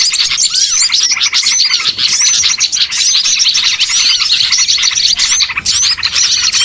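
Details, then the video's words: Lure for catching birds: a flock of small birds twittering excitedly, with rapid high chirps and scattered curved whistles layered into a continuous din. "MP3 PIKAT BURCIL"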